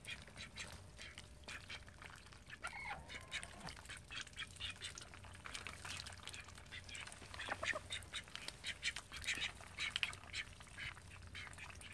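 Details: Household call ducks, thirteen in all, keep up an irregular chorus of short, rasping quacks and a few drawn-out nasal calls, with a steady low hum behind them.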